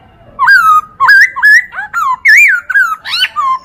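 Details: Masteran recording of a Chinese hwamei for training other birds, with a lively sequence of about ten loud, varied whistles, wavering, rising and falling, delivered almost without pause.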